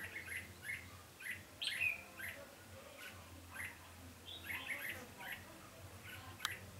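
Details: Red-whiskered bulbul during bird trapping on 20 November 2015, a decoy singing to lure wild birds: short bright warbled phrases repeated through the clip, with a sharper rising flourish near the middle, over a low steady hum.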